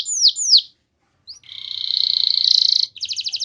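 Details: Canary song for luring other canaries: two quick falling whistles, a short silence, then a long buzzy rolling trill and a brief bright rattle.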